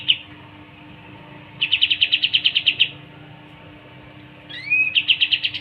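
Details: Pied triller song: a short high note, then a rapid even trill of about a dozen sharp notes, a pause, two rising slurred whistles and another fast trill at the same pitch, over a low hum.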